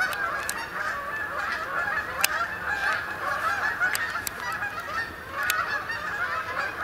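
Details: Canada geese flying in to spend the night on the main pond at Sapsucker Woods, Ithaca, New York, on 28 October 2017; many overlapping nasal honks form a continuous chorus, with sharp clicks and noise.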